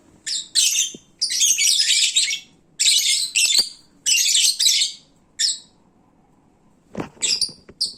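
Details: Sated, drowsy lovebirds at midday: short bursts of shrill, rasping chatter about once a second, a quiet spell, then a sharp knock and a few more scattered squeaks.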